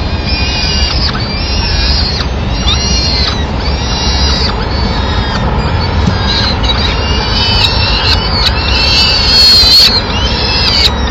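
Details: At a nest in Madrid, 27 April 2016, a female peregrine falcon enters looking for leftovers to feed the young; a run of regular, drawn-out wailing calls, roughly one per second, over continuous low rumble.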